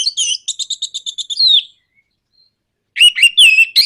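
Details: Orange-headed thrush bait song in 'nraktak konslet' style: a rapid, evenly spaced string of clipped high notes ending in a slurred downward whistle, a pause, then loud harsh chattering phrases.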